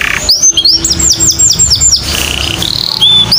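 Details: Canary singing to encourage other birds: quick swooping whistled notes in a rapid run, followed by noisier warbling and a few short high whistles, with steady background noise.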